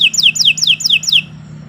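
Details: Canary song for training as a master: five bright, downward-slurred whistled phrases repeated evenly, then the song stops; faint low hum behind.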